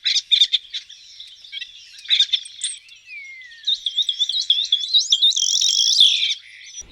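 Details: Common starling in spring nuptial plumage in the city of Neuchâtel during lockdown, pouring out a fast, high, rambling song of clicks, rattles, squeaks and slurred whistles, with one long falling whistle midway, barely pausing.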